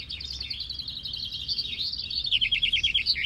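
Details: Caged common chaffinches at a vinkenzetting finch-singing contest with 23 birds, café De Hert, Bellem, Aalter, East Flanders, Belgium: high rapid trilled phrases tumbling downward into a loud accented flourish, songs overlapping.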